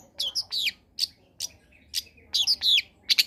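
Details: Long-tailed shrike in lively combination song, played as a lure to prompt reluctant shrikes to sing: short, high, sharp chirps and descending slurred notes in clusters, separated by brief pauses.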